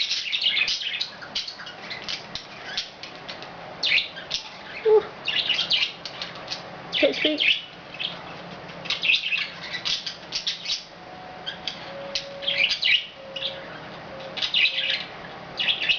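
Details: Pet budgerigars at home, recorded in May 2010, chatter continuously with scratchy, warbling chirps and brief whistled notes.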